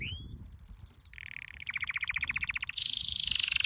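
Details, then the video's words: Canary training song: a couple of upslurred notes, a sustained high whistle, then a low steady trill, a rhythmic bubbling series and a fast high trill, with a faint background hiss. "Your canary will NEVER STOP SINGING With this training song"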